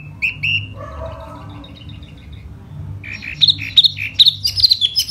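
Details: Spring 'hót xoè' song of one silver-eared laughingthrush: two short whistles, then a quiet pause with faint low chatter, then an excited burst of high ringing whistled notes.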